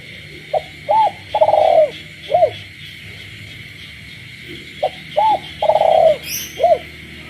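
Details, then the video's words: Caged spotted dove cooing at night in the countryside: two full phrases, each a short note, an arched hoot, a long trembling coo and a falling arched note, over a steady chorus of frogs. "cu gáy trong đêm, cu nuôi avi gáy ban đêm hòa cùng tiếng ếch nhái"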